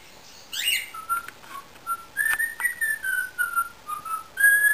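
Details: Indian ringneck parakeet whistling at home, giving a quick rising chirp, then a series of short pure whistled notes at slightly shifting pitches, like a simple tune.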